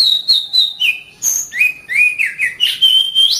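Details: Oriental magpie-robin song, a training recording for caged birds: clear whistled phrases, a long steady whistle dropping into rising and falling slurred notes with high thin accents, continuous and varied.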